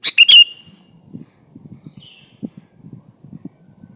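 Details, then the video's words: Sooty-headed bulbul in active song, original recording without inserted birdsong, meant to prompt other bulbuls to sing: one quick phrase of three liquid notes at the start, followed by soft low rustling and a faint distant call. "Suara burung kutilang gacor Asli tanpa isian Ampuh buat pancingan kutilang gacor"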